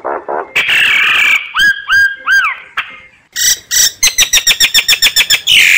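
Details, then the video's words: Myna calls played as a lure for bird survey work: harsh broadband rasps, then paired clear whistles arching down, followed by a fast series of sharp clicking notes and a final rasp. "Tiếng chim sáo, Tiếng Chim Sáo mồi, kích bổi."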